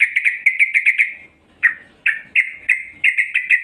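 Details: Female yellow-vented bulbul giving a lure call for males: quick series of sharp chirps, then a pause and spaced emphatic notes trailing into short buzzy tails.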